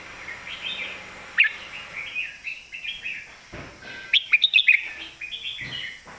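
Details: Loud red-whiskered bulbul song in the southern master style. Bubbly whistled phrases run together, then a quick burst of sharp clipped notes about two-thirds through, with a faint steady high tone behind.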